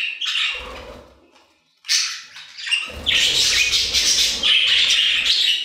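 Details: Budgies singing in an aviary, a short burst of chatter, a near-silent gap, then a sustained, dense warble of squeaks, whistles and scratchy notes from several birds.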